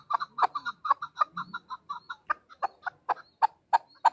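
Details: Calling female chukar: quick soft clucks followed by louder, spaced chuck notes roughly three per second, with a faint low murmur in the background.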